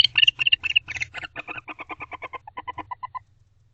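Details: Barn owls at night in a nest box, 11:20 pm on 25 October 2023, recorded up close while exchanging affectionate calls: rapid chittering notes, about two per second, stepping down from high squeaky chirps to lower, softer clucks before fading out, over faint low hum.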